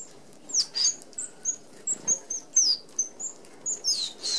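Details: Australian Red-browed Finches feeding in a flock at an open aviary feeder; scattered very high, thin peeps and short slurred squeaks arrive irregularly, with light pattering and rustling beneath.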